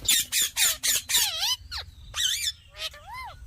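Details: Talking ringneck parakeet producing a rapid run of harsh, speech-like syllables, about four per second, then sliding, wavering whistled notes with several harmonics and a final rising-falling whistle; quiet low background hum.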